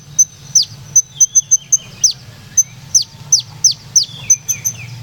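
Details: Purworejo olive-backed sunbird (kolibri ninja) singing a lilting rolling song with high shooting notes: fast, uneven strings of shrill clipped ticks and sharp downward-sweeping whistles, nearly three per second, against a soft low hum.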